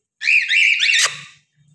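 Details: A caged cockatiel gives one wavering, whistled call lasting about a second. It ends in a quick downward sweep, followed by a faint low hum.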